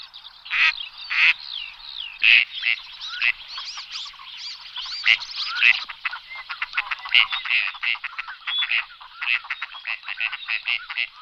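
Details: Several ducks calling at once, a dense, overlapping chatter of raspy quacks and short squeaky notes running continuously with no pauses.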